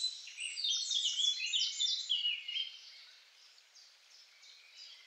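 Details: Eurasian blackcap song recorded with a homemade parabolic microphone: a rich, fast warble of varied high notes for about two and a half seconds, then fainter trailing phrases.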